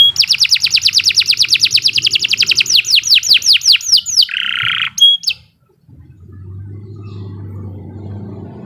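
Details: Canary in long, vigorous song: a fast run of repeated high trilled notes, then down-slurred sweeping notes, a brief buzzy note and a sharp whistle, ending in near silence with low background hum.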